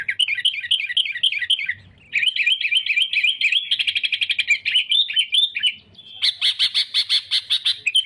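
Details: Sooty-headed bulbul in chatty rival-seeking song used for trapping: looping whistles speed up into a rapid stuttering trill, then a pause and louder, harsher repeated bursts.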